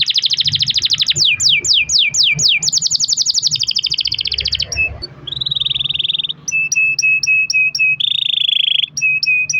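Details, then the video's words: Canary song played to prompt other canaries to sing, a long rolling style: loud fast trill of repeated notes, a buzzy held phrase, then sharp chips over a steady warbling note. "kenari gacor ROL PANJANG buat pancingan kenari agar bunyi"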